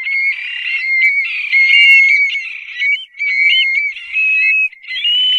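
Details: Desert stone-curlew calling: overlapping wailing whistles, rising and falling, packed densely in bursts separated by brief gaps, with several birds seemingly calling at once and no other sounds.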